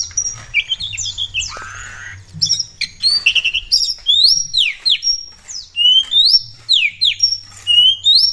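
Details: Oriental magpie-robin (kacer) singing lively as a lure for other birds: clear whistles, fast upslurred and downslurred notes repeated in lively sequences, with some buzzy elements, over a faint low hum.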